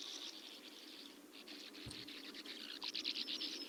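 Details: Bank swallows, birds that nest in colonies dug into sand pits and quarries, give dry, buzzy, raspy notes in a rapid overlapping chatter, like several birds calling together, with a faint hiss behind.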